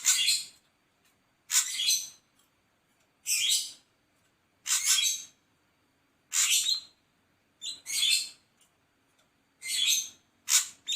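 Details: Harsh, rasping notes from an ashy drongo, each a short buzzy burst, repeated roughly every one and a half seconds in a fairly steady series.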